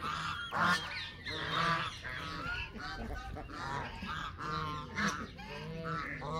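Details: Flock of Canada geese honking roughly once a second, harsh braying calls from several birds overlapping in an uneven stream.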